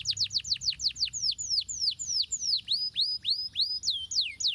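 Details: Domestic canary song used to rouse lazy canaries into singing: a fast trill of steeply falling whistled notes that slows into longer, separated swooping notes, about three or four per second, with a high thin overtone above.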